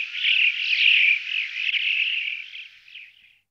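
Alpine chough giving a high, rippling, trilled call that runs unbroken for over three seconds, wavering in pitch before fading out. No other sounds.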